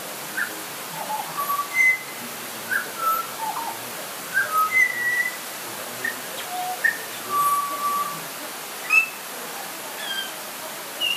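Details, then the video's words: Butcherbird whistling in light rain, with pure, level and slightly sliding notes given singly or in brief pairs, against steady rain noise. "Butcher Bird Call"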